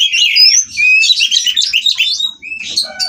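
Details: Captive Oriental magpie-robin (kacer) at a breeding aviary in Kroya, mating and singing to provoke rivals: bright, varied whistled phrases with sliding notes and rapid chirps, a short pause, then more high warbling.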